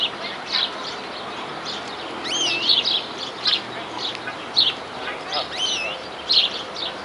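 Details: European greenfinch in New Zealand singing nonstop: brisk twittering notes and a few quick rising, wavering whistles, delivered in short bursts about every second over a steady outdoor hiss.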